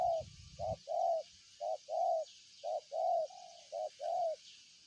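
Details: Spotted dove cooing in a steady series: short low coos alternating with longer, slightly wavering drawn-out notes, about one per second. A constant high buzzing insect chorus runs behind, with a brief low rumble at the start.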